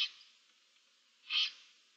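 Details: Young barn owls in a nest box, March 2024: a single rough, breathy hiss, noisy and broadband, preceded by silence.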